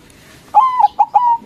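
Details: White zebra dove, a local bird singing loudly to lure rival doves into answering. A clear phrase of low, mellow coos: a long level note, two short clipped notes, then another long drawn note, on a quiet background.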